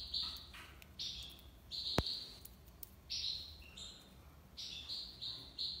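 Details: European goldfinch from Algiers, Algeria, singing tiwawati-style: held buzzy notes with short, lower slurred notes between them, and a sharp click near the two-second mark.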